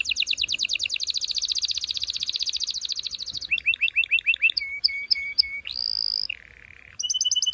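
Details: Canary singing to prepare birds for mating, opening with a long rapid high trill, then deeper chirps, steady piping whistles, a sustained tone and a low buzzy roll before another trill.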